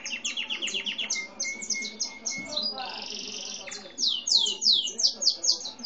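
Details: Canary of no defined breed, grey and white, kept as a pet, singing: rapid repeated chirps, a sustained flat whistled note, a harsh buzzy burst, then sweeping rolled notes repeated quickly; a Double-collared Seedeater was also singing nearby.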